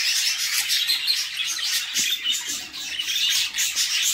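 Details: Budgerigar chicks in a nest box being fed by their mother: continuous dense, raspy high chirping and squawking with rapid overlapping notes, no pauses.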